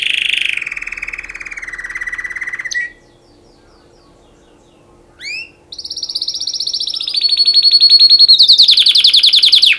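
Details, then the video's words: Canary singing for mating: a loud, high, rolling trill that drops in pitch, a pause of near silence, then rising chirps leading into fast, intense, buzzy trills held at a steady high pitch. "Beautiful canary singing for mating تغريد كناري جميل للتزاوج"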